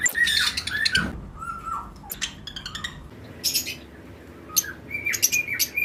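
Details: Lovebird pairs of mixed mutations in a flight colony during breeding season, chirping alongside other birds: loud harsh squawks and sharp high chirps in irregular bursts, some short falling whistled notes, busy and overlapping throughout.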